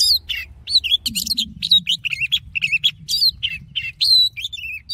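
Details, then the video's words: Oriental magpie-robin singing in forest style, intended for voice training and to excite male birds. A dense, unbroken flow of short whistled notes, falling slurs, chattering trills and buzzy elements over a low hum. "Choè than hót giọng rừng hay nhất Kích Trống Căng Lửa || Luyện Giọng Chòe Than"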